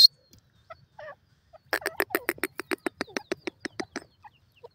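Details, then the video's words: A francolin, identified as a dakhni or green teetar, gives a harsh, scratchy run of rapid notes, about five a second, that slowly spaces out, after a few faint soft notes. "dakhni teetar ke awaz,green teetar voice,teetar sound beautiful"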